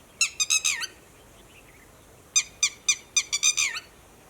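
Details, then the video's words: Red-wattled lapwing sounding an alarm to its companions about people moving nearby: a rapid burst of four piercing, down-slurred cries, a pause, then a longer run of about seven shrill, insistent notes. "Red wattled Lapwing - Alarm Call"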